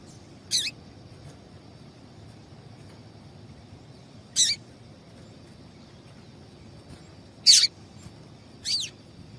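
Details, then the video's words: Female double-collared seedeater calling, a call used to excite males into singing: four sharp, high, clipped chips spaced irregularly one to three seconds apart over a faint steady background hiss. "Esse Piado de Fêmea de Papa capim é Seu Papa capim Vai Ficar Cantando RÁPIDO!!!"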